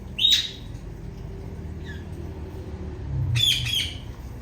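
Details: Loud female Indian ringneck parakeet: a sharp shrill squawk, a faint soft note, then a burst of rapid harsh squawks, with a low rumble beneath.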